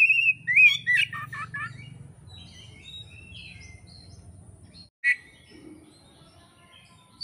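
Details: Kacer, the oriental magpie-robin, recorded in Indonesia as training material for bird keepers: a burst of loud varied whistles and rapid chips in the first seconds, then soft distant warbling and one sharp note near the end.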